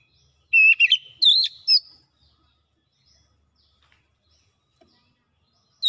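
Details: Oriental magpie-robin (kacer) giving a short gacor burst from its isian repertoire: about a second of bright whistled notes with quick slides and a scratchy accent, followed by near silence.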